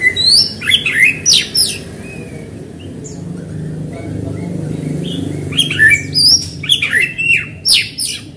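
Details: Energetic white-rumped shama singing to stir other shamas into song: clusters of quick whistles and swooping slurred notes, a quieter stretch midway with a few soft notes, then another rich burst; constant low rumbling hum behind.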